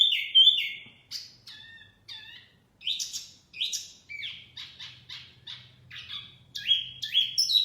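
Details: A mini wambi, whose song lures birds in, gives varied high whistles: drawn-out downslurs, quick trilled clusters, and short sharp notes, with a faint low hum beneath.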